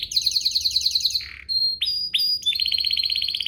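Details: Canary song meant to make other canaries reply: a fast ringing trill, a short buzzy drop, several sharp downslurred chips, then another rapid high trill.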